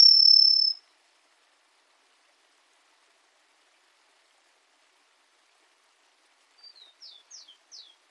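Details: Grassland sparrow singing: one high, thin sustained whistle at the start, then after a long silence a quick run of four short, high slurred notes. No other sounds are heard.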